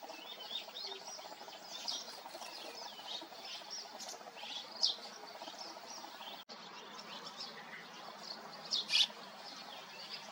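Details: Eurasian tree sparrow fledglings a few days out of the nest, begging for food in May in Yeoncheon, give sharp, high chirps about every four seconds over a steady wash of fainter chirping.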